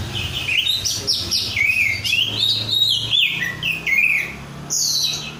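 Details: Kept 'rudal korea' oriental magpie-robin, still untrained, singing a lively run of whistled, slurred and chattering notes that sweep up and down, ending with a high thin phrase, faint low rumble behind.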